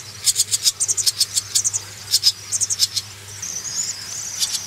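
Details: Swallow young being reared, begging in a rapid string of high, scratchy chirps for nearly three seconds, then a softer rising-and-falling twitter, over a continuous low hum.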